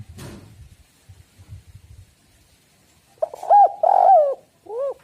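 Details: Spotted dove calling, played to lure other doves into cooing: faint low rumbling noise at first, then a stuttered lead-in, a long mellow coo, a falling drawn coo and a short final hoot.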